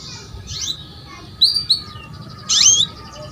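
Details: Female canary calling to draw song from a male: soft faint notes, then two short clipped chirps and a loud buzzy rising call, over quiet background hiss.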